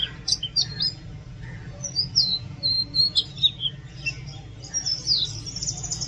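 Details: Oriental magpie-robin song made of clear descending whistles and a few harsher notes, several separate phrases spaced about half a second apart, with low hum behind.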